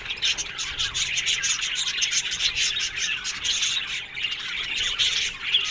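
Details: Aviary colony of Australian budgerigars chattering nonstop, rapid scratchy chirps and squawks from many birds overlapping into a dense high-pitched babble.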